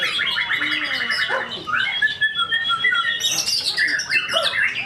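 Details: White-rumped shama at a songbird contest, described as tame in character, singing a loud, varied song: rapid trilled phrases, then clear whistled notes and sudden high bursts, against a noisy contest background.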